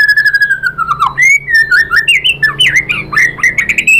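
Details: White-rumped shama singing as a lure to make another bird respond: a long descending whistle followed by a fast jumble of rich, varied whistled notes and squawky phrases.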